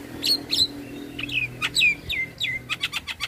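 A Javan myna sings a fast series of sharp chirps and clear, downslurred whistles, ending in a run of harsh, rattling clicks, over a faint low hum.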